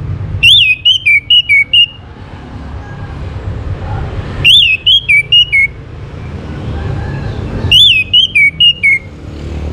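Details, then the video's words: Orange-headed thrush song used as a lure to get other birds singing: three loud, clear whistled phrases about three seconds apart, each a rising-falling note followed by four short whistles, over a steady low rumble. "KICAUAN ANIS MERAH UNTUK PANCINGAN AGAR BURUNG IKUT BERKICAU"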